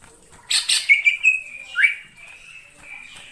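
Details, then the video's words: Greater green leafbird in wild forest: a quick burst of harsh chirps followed by a thin, level whistle and a short upward-swept note, then quieter fading whistles. "suara cucak ijo di alam liar_ijo hutan"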